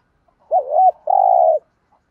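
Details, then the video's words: Spotted dove call: a wavering, dipping double coo followed straight away by one long, steady, buzzy coo, close and clear. "tieng chim cu gay gu thuc gay gọi/ cu cườm bài bản"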